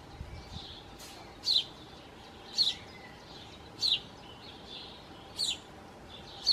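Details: Song thrush at a nest with four young, both parents feeding nestlings during extremely hot, dry weather. Short downslurred high notes repeat roughly once a second over a soft background hiss.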